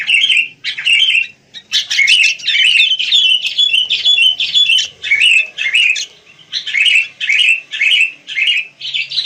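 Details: Wild sooty-headed bulbul chirping busily: short, bright, bubbly phrases come in quick bursts of about half a second, separated by brief gaps and repeated roughly twice a second.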